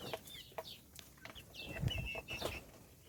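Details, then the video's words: Little chicks being fed, peeping repeatedly with bright, high, slightly downward-sliding chirps, several in quick succession, over pecking clicks and low rustling. "صوت الدجاج // little chickens chirping SOUNDS"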